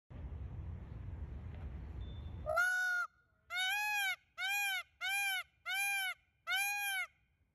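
A peacock gives loud, nasal, wailing calls, one long call followed by five shorter arched ones in quick succession; low rumbling noise precedes them.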